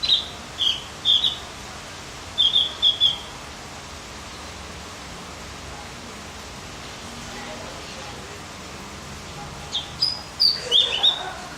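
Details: Javan grey-throated white-eye singing to stimulate other birds: clusters of short high chirps at the start, a long quiet gap, then another burst of sharp notes near the end, with faint voices in the background.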